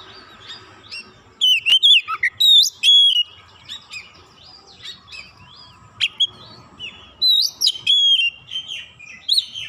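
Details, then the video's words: Oriental magpie-robin song meant to provoke others of its kind to sing: loud bright whistles with abrupt upward and downward sweeps, clustered in two bouts, the second after a stretch of quieter twittering. "100% gacor Kacer lain sekali pancing"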